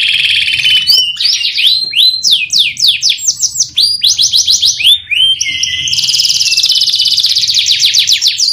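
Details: Canary singing a long, energetic stimulation song meant to prompt other canaries. A rapid run of high downward-swept notes gives way to sharp chips, then a dense buzzy rolling trill to the end.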